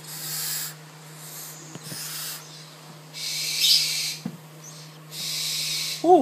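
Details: Hand-raised tropical screech owl chick in captivity asking for food with rough, airy hisses of varying length, a few soft clicks, and a brief tonal squeal at the very end over a constant low electrical hum.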